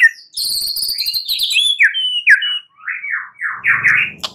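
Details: Night-time lure song of a white-rumped shama meant to make other birds sing; high thin trills open into a string of clear, slurred, descending whistles, a low hum entering near the end.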